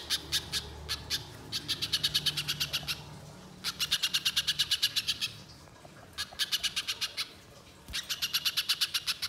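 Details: Spiderhunter in lively form, used as a lure in the wild, uttering bursts of fast, dry, high chattering notes in runs of one to two seconds separated by short pauses, with a faint low hum beneath.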